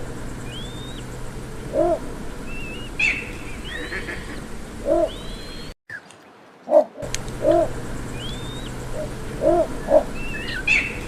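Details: Little bittern (Ixobrychus minutus), call.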